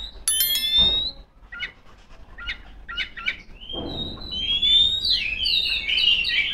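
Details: Female Oriental magpie-robin singing to call rivals. A high whistled note opens the clip, followed by a series of spaced, short buzzy chips. It ends in a fast, rising run of bright whistles and warbles over low background hum.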